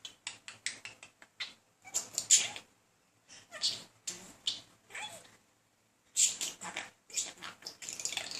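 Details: Talking budgerigar, a male persistently courting a female, chatters indoors in clusters of clicks and rasping, squeaky warbles broken by quiet gaps.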